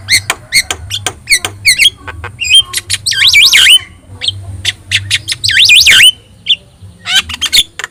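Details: Yellow-eyed Javan myna singing vigorously, a master track for training other birds: rapid harsh clicks and squawks broken by looping warbled whistles that rise and fall, with steady low hum in the background.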